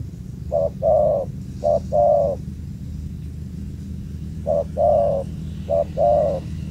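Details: Wild male spotted dove (tekukur) with a booming voice, found at an old familiar site: two cooing phrases, each a short note followed by a longer rolling coo, about four seconds apart, over low rumbling background noise.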